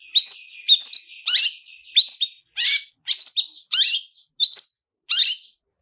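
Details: Lure recording of a long-tailed shrike in 'toet toet' style with rich fill-ins: a steady high whistle runs under a quick series of varied harsh chips and downward slurs, almost one a second.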